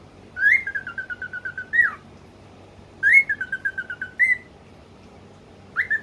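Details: A talking cockatiel chatters in shrill, clipped bursts ending in rising squeaks, saying phrases like "washing popo", "I'm washing" and "what are you doing?".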